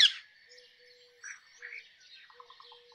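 Rose-ringed parakeet: a loud, harsh screech at the start, then quieter raspy squawks and a few short, lower chattering notes.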